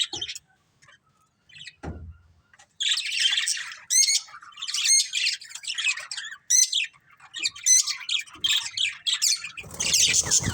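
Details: A budgie family chatters after a quiet opening. Harsh squawks and rapid trilled chirps come in bursts with brief pauses, ending in a loud, noisy burst.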